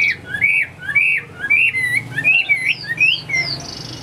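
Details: Chinese hwamei kept in a cage, about 85% tame, gives a rapid stream of rich warbled whistles, each note bending up or down, tumbling together without pause against quiet indoor background.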